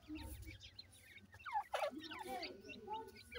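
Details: Captive-reared francolin chicks fed grain and water: a couple of loud falling chirps stand out among softer high peeps and short twittering notes, with low background hum.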